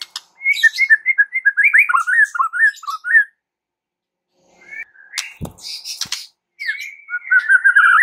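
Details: White-rumped shama song meant to incite sluggish shamas: fast varied whistled phrases for three seconds, a pause, a few scratchy notes with a clatter, then sweet descending whistles.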